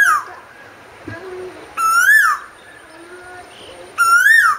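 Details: An Asian koel sings rising whistled notes roughly two seconds apart. Each note swells upward, peaks, then falls away, and the clip opens with the tail of a falling note. A soft, low call is heard between phrases.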